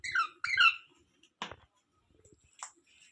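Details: Indoor rose-ringed parakeet gives two rapid, harsh, downslurred screeches at the start, then scattered knocks, rustles and a brief high squeak.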